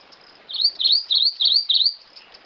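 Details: Grey-eyed Greenlet giving one phrase of five bright, high whistled notes, each curving down and up, delivered at a steady quick pace against a quiet background.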